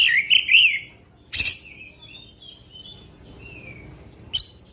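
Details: Black-winged magpie-robin in 'tembakan panjang' long-shot singing that rouses rival magpie-robins: looping whistled phrases, a sharp burst, drawn-out soft warbles, then another clipped high note.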